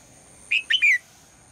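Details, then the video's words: Female red-whiskered bulbul calling in the morning to get the male to sing: one short three-note phrase, a slurred whistled note followed by two quick chirpy notes dropping in pitch, against a steady high hiss. "นกหัวจุก birds - นกตัวเมียร้องตอนเช้าเพื่อเรียกนกตัวผู้ให้ร้องเสียงดังฟังชัด"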